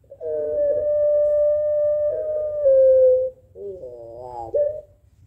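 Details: Barbary dove, Puter Pelung style, calling against a rival bird. One extended, even coo lasting about three seconds. After a short pause comes a brief, rough, rising burst of stacked tones.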